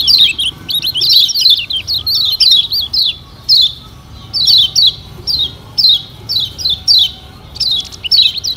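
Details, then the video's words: Lombok yellow white-eye (kecial kuning) lure song meant to make caged birds sing: rapid chattering strings of high sweet notes with sharp upward and downward slurs, phrases of about a second repeated with short breaks. "Pancingan Kecial Kuning Paling Ampuh Bikin Kecial Gacor Parah"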